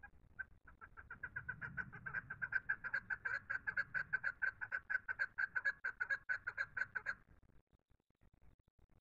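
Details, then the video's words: Chukar natural call: a rapid series of clucking chuck notes that speeds up and grows louder over about seven seconds, then stops abruptly. A faint low rumble sits underneath. "Chukar:The Natural Call"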